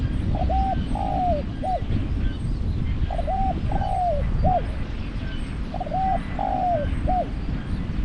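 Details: Spotted dove decoy in Thai trap-luring: the same three-note cooing phrase repeated three times about every three seconds, a short coo, a longer falling drawn note and a brief upturned close, with steady low background noise.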